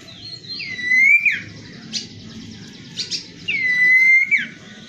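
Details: Common iora song: drawn-out whistled notes that dip then level off before a quick falling slur, repeated twice, with scattered high chips between phrases and faint low background noise.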